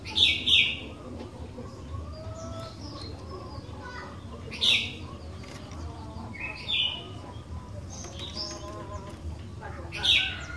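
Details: Sooty-headed bulbul song meant to set other bulbuls singing: brief bright whistled phrases spaced a few seconds apart, with quieter chirps between them over a low background hum.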